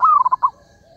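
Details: Single zebra dove call used as a trapping lure, a half-second phrase opening with a smooth drawn coo that breaks into three or four fast staccato pulses.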